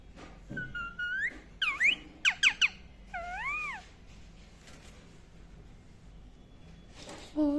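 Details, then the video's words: Indian ringneck parakeet chirping in a quick, varied burst: sliding whistles, steep up-and-down notes, two arched wavering calls, then silence before one last low chirp. "indain ring neck chirping sound"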